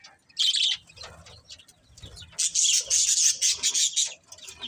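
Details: Chirping budgies: a short scratchy burst, a quieter stretch of soft chatter and low thuds, then a long bright warbled run of rapid, slightly squeaky notes before fading.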